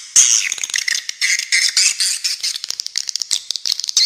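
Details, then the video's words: Several swiftlets chattering over one another in dense, buzzy, rattling bursts, high-pitched and almost continuous. "Suara Walet Original"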